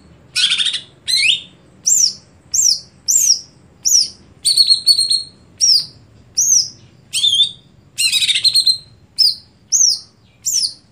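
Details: Greater green leafbird singing a steady string of short, sharp whistled and chirping notes, roughly eighty a minute, some swooping down, some buzzy, for about eleven seconds.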